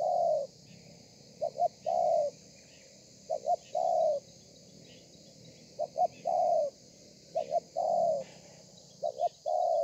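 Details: A wild-caught spotted dove sings its 'thổ pha' song on 30 November 2020, a low doubled coo leading into a long drawn coo. The phrase repeats about every two seconds over a quiet buzzing background.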